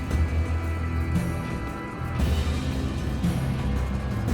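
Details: Dramatic music with deep low drones and swelling sustained tones, no animal voice heard.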